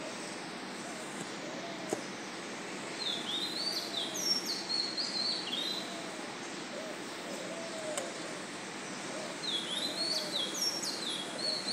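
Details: Oriental magpie-robin at 04:52 on 7 June, before dawn, singing a new song of two phrase sets: short high whistled phrases with quick downslurs every few seconds, faint low arched notes repeating beneath, constant background hiss.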